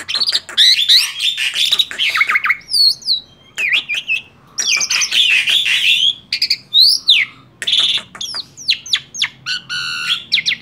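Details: Vigorous song of a tame male black-winged starling: loud harsh chatters, rasping squawks, zigzag whistles and buzzy rattles delivered in rapid, nearly continuous phrases.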